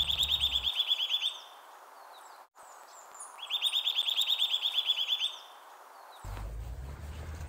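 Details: Eurasian Nuthatch singing in late winter (January) among orchard meadows and forest edge: two loud, fast rhythmic trills of clear whistled notes, about three per second, near-level with a slight rise; faint other birds in the background.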